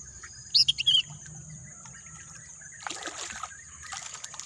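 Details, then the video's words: Birds calling amid green countryside: a burst of loud, high, sharp whistled chirps in the first second, then quieter background twitters and a steady high insect-like hiss, with splashing water later on. "bunyi kicauan burung"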